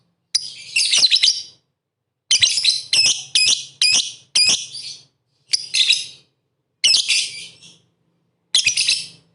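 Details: Lovebird song meant to provoke rival lovebirds: about eight short, harsh, shrieking bursts of high chatter, some doubled, spaced irregularly with brief silences, over a faint low hum.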